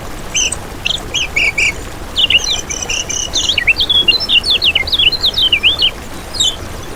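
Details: Kecial kuning singing for use as a lure and tutor master: a few separate high chirps, then a lively run of varied whistled, slurred and zigzag notes, ending with a single faint chirp.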